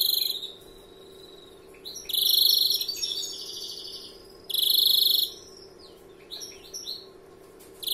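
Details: Young 'novel' European greenfinch singing in the 'larguero' style: soft twitters and a thin whistle lead into two long, loud, rattling buzz-trills about three seconds apart, with quick chirps between.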